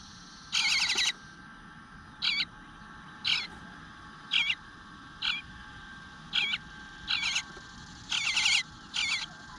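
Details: A hungry eastern bluebird nestling whines for food at 9:10 am on 25 June 2022, waiting a long time to be fed: roughly nine short, harsh, buzzy bursts, some longer and wavering, spaced about a second apart.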